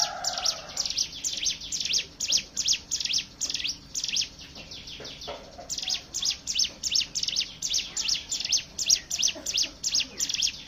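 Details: Fast, high, scratchy chips from a Hill prinia run almost nonstop, close to three per second, with a short lull midway. Faint lower whistles sound at the start. The song is used to lure other birds into singing.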